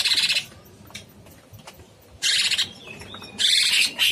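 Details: Vigorous song of a cucak cungkok bulbul: three harsh, rasping chatter bursts spaced over about four seconds, with a few soft whistled notes and quiet background between them.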